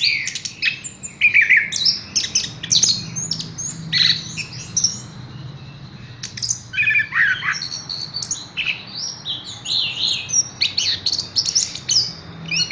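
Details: Horsfield's bush lark song made of rapid chirping bursts, sharp ticks and brief whistled notes, delivered in loose groups separated by short pauses, with faint background hum.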